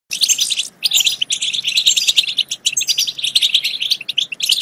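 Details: European goldfinch song, used to stimulate goldfinches to sing and mate: dense, bright twittering and tinkling chirps in rapid bursts with brief pauses, sustained high and steady throughout.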